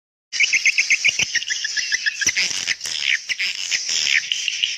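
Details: Swiftlet call meant to summon young swiftlets: a fast row of short, bright chirps repeated several times a second, then a dense, continuous high twittering chatter to the end.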